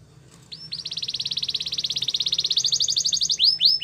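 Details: Song of a Spanish Timbrado canary: after a quiet start, a fast, even, metallic rolling trill that climbs slightly and strengthens, then breaks into a few separate swept whistles.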